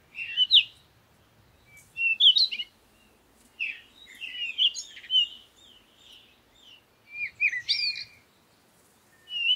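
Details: Busy parakeet chatter of squeaky chirps and quick twittering notes in four bursts, separated by short pauses, with faint background noise.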